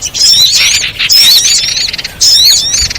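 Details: Common iora (cipoh) lure recording used to draw birds down: bursts of high, thin, wavering whistles, several overlapping, in three loud groups about a second apart, with faint rustling noise between.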